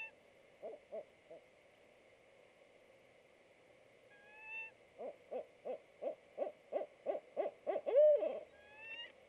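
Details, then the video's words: Male and female barred owls at a nest box over 30 feet up a pignut hickory in a wooded backyard, 6 March 2019: three low hoots, then about ten quick throaty hoots ending in a rising whoop, over a high hum. "Male and Female Barred Owls Vocalize at Nestbox"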